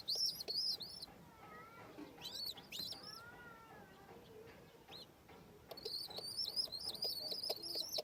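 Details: Home pigeon chicks at feeding give high squeaky whistles at the start and in a fast run at the end; softer lower tonal sounds and rustling fill the middle.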